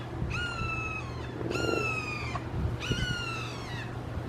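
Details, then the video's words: Loud, drawn-out screams from red-shouldered hawks, three calling together in a Florida backyard: three long, slightly descending harmonic cries, each near a second long, separated by short pauses, with low hum beneath. "Amazing Sounds of Red Shouldered Hawks Calling"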